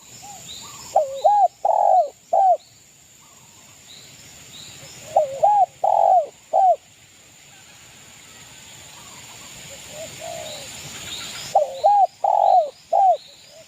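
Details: Local East Java spotted dove, a lively singer used as a lure to provoke rival birds, in the 'kuk 2' style: loud hollow cooing phrases of two short notes and a longer drawn note, repeated three times with pauses. Faint high chirps in the background.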